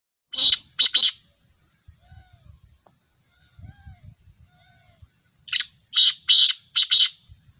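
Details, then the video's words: Black francolin, locally called kala teetar and described as a speeder, recorded in the Sindh and Punjab area on 19 August 2021: two loud, harsh, grating bursts of three rapid notes each, separated by a quiet gap with faint low murmurs. "Speeder Kala Teetar black Francolin"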